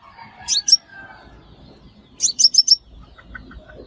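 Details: Sunbird call used as a lure for bird traps: two quick clusters of very high, sharp, downslurred notes, two then four, with faint lower warbles between.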